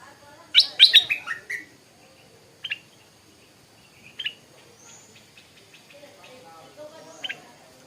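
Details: Morning song of a stripe-throated bulbul: an opening cluster of bright, tumbling notes, then short isolated chirps every second or so over a quiet background.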